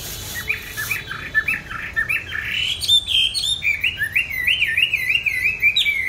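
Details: Pet songbird in a cage, bought 19 May 2020, fed a steady diet and singing in any setting: soft chattering notes building into a long, fast, warbling string of high whistled loops.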